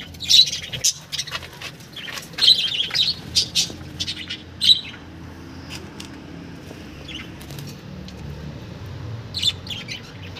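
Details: Budgerigars in a breeding colony with chicks chatter with rapid, high, scratchy chirps and squawks in irregular bursts.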